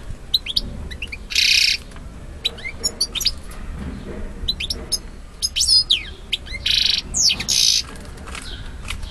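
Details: A male European goldfinch sings to a female, who accepts him: a rapid, liquid twitter of high tinkling notes broken by several harsh, buzzy bursts lasting a fraction of a second each.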